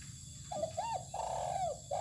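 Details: Close, clear cooing from a spotted dove put outside in the sun on open ground: a short hoot, an arched note, a long level note dropping at its end, then another hoot, with faint insect hiss behind.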